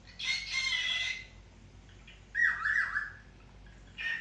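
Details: A cockatiel (Nymphicus hollandicus) gives harsh, screechy squawks in three separated bursts, the first one long and drawn out.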